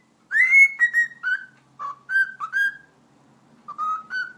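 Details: Household cockatiel whistling: a rising then level note, followed by a string of shorter melodic whistles, a second's silence, then two more whistled notes in a calm indoor setting.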